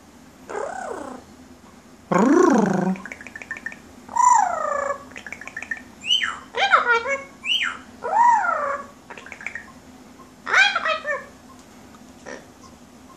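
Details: Pet female yellow-naped amazon indoors calling for the household kitten. It gives a string of loud, drawn-out, arching squawks and wavering cries, some harsh and some more tonal, separated by short pauses, over a steady low room hum.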